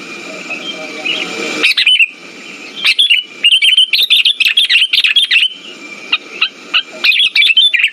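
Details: Sooty-headed bulbul lure song meant to stimulate silent birds. After a hissy start with a faint chirp, a dense stream of rapid, bubbly chattering notes runs almost continuously, with short pauses.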